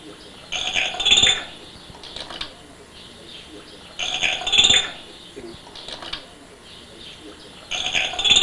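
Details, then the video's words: Pet grey parrot, an African grey hatched 10 January 2000, talking and imitating sounds indoors; three loud raspy squawking bursts about every three and a half seconds, with softer murmurs between. "papagaj prica imitira"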